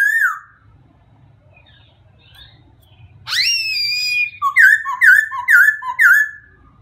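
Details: Singing white-crested laughingthrush: a short whistle, a quiet gap, then a loud rising swoop into a held note, followed by a rapid series of paired whistled notes repeated about twice a second.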